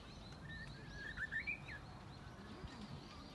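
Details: Japanese bush warbler singing from inside a bush, practising an unstable song: one short, wavering whistled phrase that climbs and falls, faint over steady low rumbling background noise.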